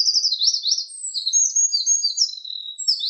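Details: A Eurasian wren's song already underway, a shrill, fast chain of high trills and sharp chattering notes that briefly dips before continuing energetically through about three seconds, with nothing else heard.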